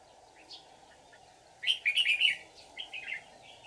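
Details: Decoy red-whiskered bulbul, white-cheeked form, singing combatively to draw wild birds to a trap, July 2019: a short faint note, then a loud rich warbled burst and a second briefer phrase, with a constant background hum.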